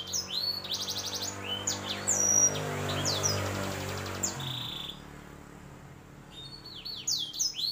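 Canary hybrid singing bright, high rolling trills and rapid chirped phrases, pausing briefly before resuming. A low mechanical hum runs underneath for the first half.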